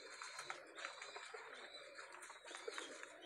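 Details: Pakistani high flyer pigeons kept as a lot, with soft low coos overlapping with scattered high chirps in a crowded, steady chorus.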